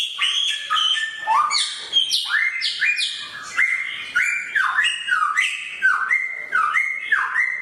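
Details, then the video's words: Loud samyong bird song, described as sharp-voiced: bright downslurred whistles repeated in quick succession, some notes rich and buzzy, the rhythm steady and energetic throughout. "burung samyong suara pedas"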